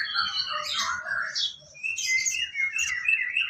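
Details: Sooty-headed bulbul (sogon) song used as training material for songbirds: overlapping liquid, chattering phrases that rise and fall, with a brief pause midway, over a soft low background rumble.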